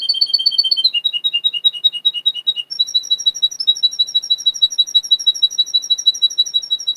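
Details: Russian canary, a male from a Miami, Florida breeder, singing for training: quick bubbling trills that drop lower after one second, then a long, even, rapidly repeated trill on a higher note.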